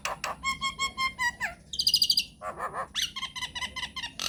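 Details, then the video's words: Lure song of a myna to prompt other mynas to call back. It has repeated bright, ringing whistled notes, a high squealing burst, then gurgling chatter and more ringing whistles. "PANCINGAN / MASTERAN SAKTI UNTUK SEMUA JENIS JALAK, JALAK APA SAJA AKAN NYAUT | MYNAH BIRD"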